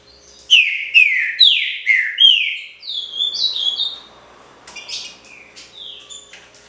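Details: Green-winged saltator delivering a pixarro original phrase: a fast run of strong, downward-slurred whistles, then higher softer whistled notes trailing off, over a quiet low hum.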